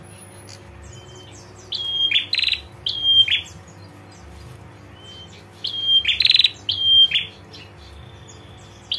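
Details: Female prinia ngetir call that males react to: short whistles each followed by a harsh buzzy burst, in two clusters separated by a few seconds of near quiet.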